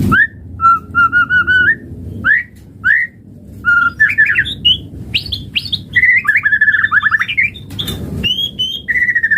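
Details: White-rumped shama lure song to stimulate other birds into singing: evenly repeated whistled notes open, followed by rising slurs and dense rapid twittering phrases with sharp upward sweeps, loud and varied throughout.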